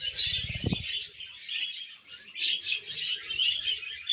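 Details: Pet budgerigar described as happy, giving a continuous rapid warble of scratchy, squeaky and chirping notes that rise and fall without pause; a brief low thump near the start.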